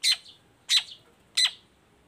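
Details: Long-tailed shrike (cendet baham) lure sound meant to start other shrikes singing: three harsh, loud, scratchy notes, each with a short trailing buzz, spaced about two-thirds of a second apart.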